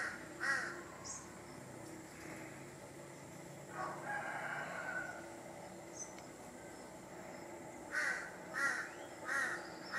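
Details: Large-billed crow in a backyard in a Thai village: a single rasping caw at the start, a softer call mid-way, then three harsh caws about two-thirds of a second apart at the end, over low ambient hum.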